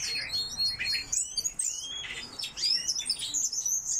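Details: Captive coal tits in an aviary chatter in quick succession: sharp high chirps, thin rising and falling whistled slurs, and overlapping twitters from more than one bird.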